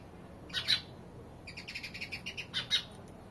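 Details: House sparrow chirping: a loud doubled chirp, then a run of softer, quick, evenly spaced chirps, and another strong doubled chirp at the end, against a quiet background.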